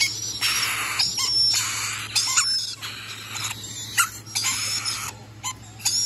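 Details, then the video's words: Dense, rasping screeches of rainbow lorikeets, with long harsh bursts and shorter shrill notes from several birds calling together over a low steady hum. "Rainbow Lorikeet"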